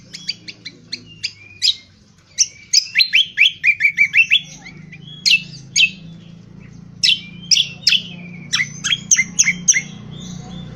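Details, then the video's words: Indonesian honeyeater's ngriwik kasar, a rough twitter used for training birds: lively bursts of sharp, high chirps and short descending twitters, delivered in clusters with brief pauses, over a faint low hum. "Cucak Kombo : belajar Ngriwik NGriwik Kasar!!"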